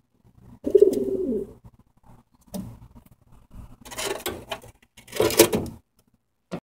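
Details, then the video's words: A pigeon perched on top of a heating duct gives low, throaty, hollow coos in a few short bursts, with scraping and rattling between them in an enclosed, echoey space. "Pigeon whooing."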